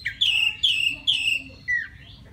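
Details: Wild white-rumped shama song aimed at a female: three loud, slurred whistled phrases in quick succession, then a softer falling whistle and a faint rising note.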